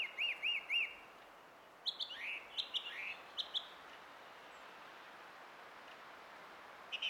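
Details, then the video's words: Song thrush in song, 20 April 2016. Three identical arched whistles come in quick succession, followed by a varied burst of sharper, descending and rising notes, then near silence with a faint note at the end. "Kaunis ääni linnulla - Laulurastas"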